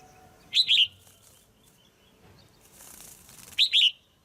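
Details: Caged female red-whiskered bulbul calling to attract or pair with a male: a bright group of two or three whistled notes near the start, repeated after about three seconds, with a burst of wing flutter in between.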